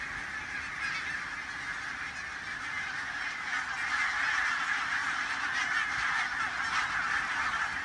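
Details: Barnacle geese at Loch Gruinart, Islay, taking flight into a vicious headwind; a dense, continuous chorus of overlapping yapping flock calls with steady wind roar throughout.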